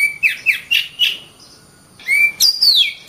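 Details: Oriental magpie-robin singing energetically: four clear downslurred whistles about a quarter second apart, a pause, then a rising whistle and high, sweeping bright notes sliding downward.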